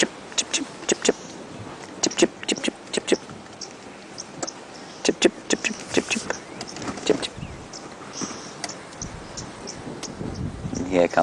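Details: On a morning bush drive, oxpeckers riding a buffalo herd crossing the road give short, sharp 'chip' notes in loose, irregular bursts from several birds, over a vehicle's engine hum and a man talking quietly.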